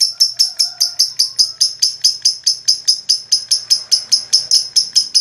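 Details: Lovebird in continuous ngekek chatter, used to stimulate rival birds to sing: a long, even burst of shrill, high chips, close to three per second, harsh and unbroken for the whole stretch, with faint lower tones beneath.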